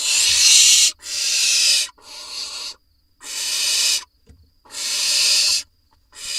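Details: Barn owl chicks in a camera nest box in Israel, summer 2021, as parents drop off voles: a run of rasping, snore-like hisses about a second long, spaced by short silences, some louder than others.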